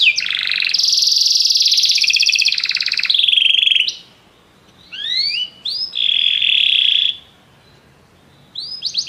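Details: Canaries in chorus, prompted by music: a long dense buzzing trill lasting about four seconds, a pause, rising slurred whistles, then a flat churring roll and a final high burst.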